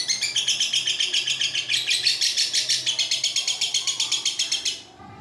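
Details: Lovebird ngekek of long duration, recorded unedited. A quick, piercing, buzzy chatter of regular pulses runs for nearly five seconds, then stops abruptly and quiet follows.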